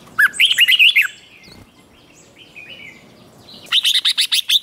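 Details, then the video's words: Red-whiskered bulbul singing in competition after being provoked: two fast phrases of chattering, swooping whistled notes, about seven in each, separated by a three-second gap with soft background chirps. "Kích Chào Mào Hót Ché |Kích chào mào hót đấu"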